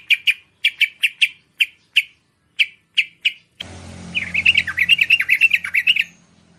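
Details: Bulbul, locally merbah, calling to attract wild birds of its kind: crisp, high, evenly spaced chip notes, then a faster, warbling chatter of rising and falling notes over a low hum.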